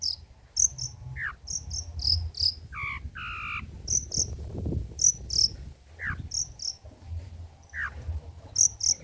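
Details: Long-tailed shrike in old-style song material for lure and tutor purposes: paired very high, piercing chips mixed with harsh buzzy rasps and downward-slurred notes, irregular and lively.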